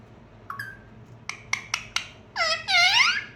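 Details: Parrot vocalising clearly indoors: a few short squeaky notes and sharp clicks, then two longer, loud, harmonic-rich squawking phrases that sweep and bend near the end.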